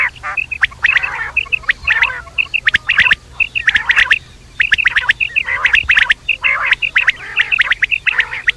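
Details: Night calls of quail: dense runs of short, bright, chattering notes in rapid bursts, pausing briefly between volleys, with several birds seemingly overlapping.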